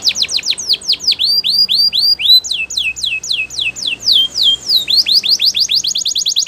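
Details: A Belgian canary delivers a steady run of repeated downward-sweeping whistles. Fast rolls alternate with slower, more spaced slurs and a brief drawn-out rising note, over a quiet background hum.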